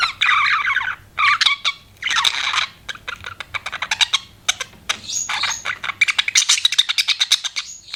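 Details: Pet budgerigars chirping: bursts of scratchy, buzzy chatter alternating with short gaps, then a run of quick, clicky high chirps and thin whistled notes toward the end.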